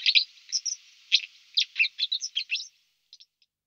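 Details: White-throated dipper in a dense burst of scratchy, buzzy and whistled high notes lasting under three seconds, followed by a few faint chips, then quiet.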